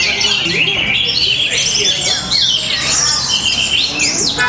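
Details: Caged orange-headed thrush performing at a bird contest in Tabanan, Bali, pouring out loud chattering whistles and quick upslurred and downslurred notes without pause, a song noted for its power, rhythm and style.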